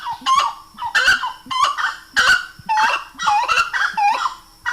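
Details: Grey-cowled Wood Rail (saracura-três-potes), one of Brazil's rails, giving loud, harsh, nasal notes that rise and fall, repeated in an uneven cackling run of roughly two per second, with nothing else audible.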